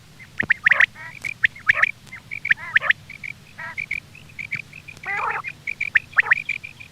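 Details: Hunting-lure recording of quail: a steady stream of thin, high clipped notes broken by occasional raspy, nasal outbursts.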